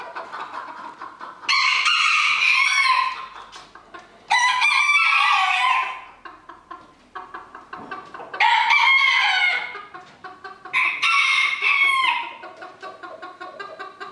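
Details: Roosters competing in a 2022 crowing contest in Villers-la-Ville give four loud crows roughly three seconds apart. Each is harsh and harmonic, lasts about one and a half seconds, and falls away at the close, with clicking and murmuring noise between them.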